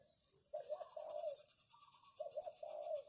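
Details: Spotted dove decoy calling to lure wild doves: two faint, low, hollow cooing phrases of several notes, partly masked by steady hiss and rhythmic high insect chirping.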